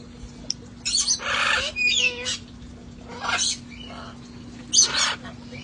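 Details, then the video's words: Parrots from a rescue flock playing and relaxing outdoors before the cold weather arrived; harsh, noisy squawks in four bursts, one with a short whistled note, over a steady low hum. "sounds of parrots having fun outside"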